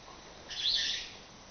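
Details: A long-tailed glossy starling in the Senegambia Beach Hotel grounds gives a single harsh, rasping call lasting about half a second, high and grating, over a quiet background.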